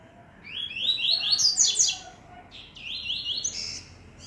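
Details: Double-collared seedeaters in a singing contest. Bright, very high, slightly buzzy phrases of quick stepped notes come in two bursts, each about a second long and separated by a short pause. A steady low background hiss runs underneath.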